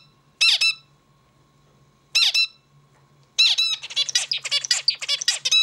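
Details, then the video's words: Zebra finch song: two introductory nasal harmonic notes spaced well apart, then a long dense stream of rapid buzzy and bright stacked notes, over a low steady hum. "Bird sings beautifully - zebra finch"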